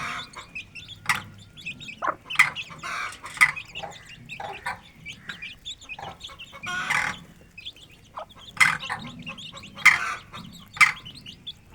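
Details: Hen of the Aseel breed with chicks eating and running around in an open rural yard; rapid high-pitched peeping from several chicks with occasional low clucks and scattered pecking taps.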